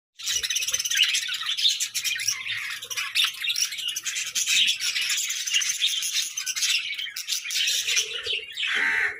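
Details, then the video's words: Playful, happy pet budgerigars chattering together in a dense, continuous warble of rapid chirps and scratchy twitters, with no pauses and a brief louder squawky burst near the end. "Playful Budgies: Happy Birds Sounds"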